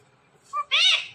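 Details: Ring-necked parrot mimicking speech, a learned word in two syllables: a clear short tone, a brief gap, then a loud harsh-edged syllable that rises slightly and fades.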